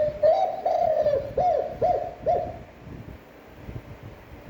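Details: Spotted dove singing its standard coo: a long, mellow opening note, then three quick rounded coos. The second half is near-silent with low hum.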